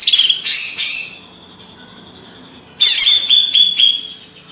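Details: Banyuwangi-origin greater green leafbird from Indonesia singing two separate bursts of high, chattering notes mixed with thin whistles, with a quiet pause between them.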